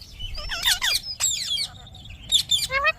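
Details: Pet Indian ringneck parakeet talking: bursts of bright, bending nasal syllables rising and falling, a short pause, then a final burst with clipped descending notes, over a faint low hum.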